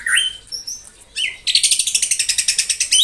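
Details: White-rumped shama in the morning, singing to provoke rivals: a few short whistled slurs, then a rapid, buzzy rattle of high repeated notes running steadily for over a second.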